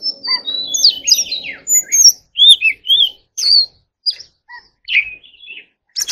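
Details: Varied song of a white-rumped shama: long thin whistles and sliding notes at the start, then separate sweet phrases broken by short silences, a low hum fading out early.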